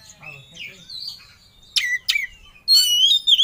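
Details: Oriental magpie-robin singing with full emotion as if seeking a rival: soft slurred notes, then two sharp downward-sweeping whistles and a loud ringing whistled phrase at the end.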